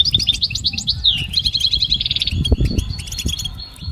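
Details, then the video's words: Goldfinch song for training and motivation: fast twittering phrases of high chirps and trills, a downward slur near one second, then dense buzzy notes, with low background rumble. "listen to the most beautiful motivational"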